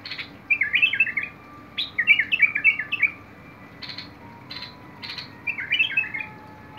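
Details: Bulbul singing, 21 August 2022: quick runs of liquid, bubbling warbled notes in rapid clusters, alternating with harsh chattering buzzes; faint constant tonal hum in the background.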